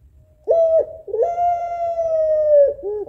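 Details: African collared dove, a female puter pelung, calling a male in a sorrowful voice. A short clipped coo, a quick pause, then one long level coo that drifts slightly downward and ends with a soft nasal tail.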